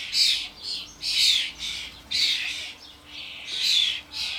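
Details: Adult Sturnus vulgaris and fledglings feeding on suet in a garden: loud, buzzy, hoarse calls, about one per second, each a coarse rasp with shorter fragments between.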